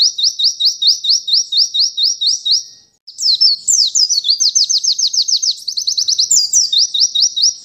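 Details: White-eye song: an even run of bright rising whistles, a short pause, then faster, more varied twittering phrases mixed with quick upslurred notes, all high and sweet.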